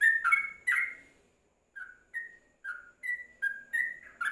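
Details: Yellow-vented bulbul in a covered cage: a loud warbled burst, then a pause and a string of single clear whistled notes, evenly spaced and varying slightly in pitch.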